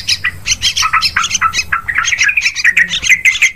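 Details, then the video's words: Yellow-vented bulbul lure call for hunting birds: rapid, uneven series of liquid chirps and squeaky notes sliding up and down, running continuously through the clip. "Suara pikat burung trucukan"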